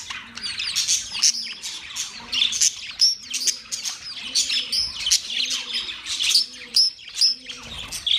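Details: Budgerigars, including a black-faced budgie, kept as pets: continuous high chirping and warbling chatter from several birds, with a low rhythmic hum pulsing about every second underneath.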